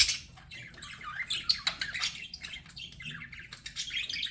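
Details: Pet budgerigars in continuous chatter, a stream of rasping warbles and wavering whistled notes that slide up and down, dense and unbroken for the whole stretch.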